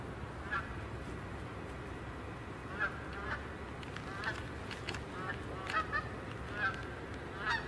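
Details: Geese, a flock of more than three or four, honking in repeated nasal notes about once a second, with several birds overlapping, over steady background rumble.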